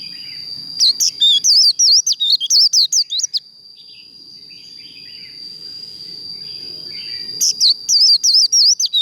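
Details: Japanese white-eye in contest song training, giving its líu song in two bursts of quick, high, looping whistles separated by a few seconds of quiet, with a low background murmur in the pause.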